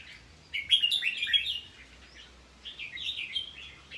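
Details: Red-whiskered bulbul singing: short bursts of rich, warbled whistled notes, a lively phrase early on, a pause, then a second rapid run of chirpy, tumbling notes.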